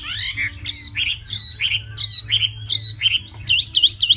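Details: Hwamei song, loud and clear: a string of rich, slurred whistled phrases, each dropping in pitch, repeated about every half second, ending in three fast rising-falling 'wee-oo' notes. A faint low hum runs underneath.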